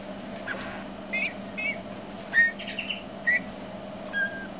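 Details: Male Eurasian bullfinch, Pyrrhula pyrrhula, singing: soft, short piping whistles, some slightly rising, given irregularly about once a second, with a few faint scratchy notes between them over a steady low hum.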